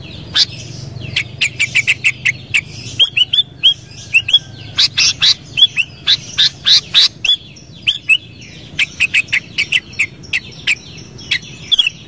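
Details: Sooty-headed bulbul in a long, busy run of sharp chirping notes, rapidly repeated in clusters with short pauses between them, while other birds call faintly behind.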